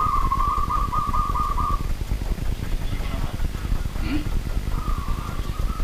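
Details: Night-time call of a local wild zebra dove: a long, evenly beaded trilled coo lasting nearly two seconds, silence with faint sounds, then another rolling phrase begins, all over continuous low rumbling noise.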